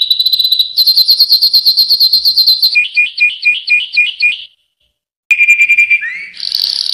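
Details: Yellow canary song opening with a fast, even high trill, shifting into slower doubled chirps, then a short silence before a lower rattling roll and a rising upslurred note leading into a dense buzzy tour.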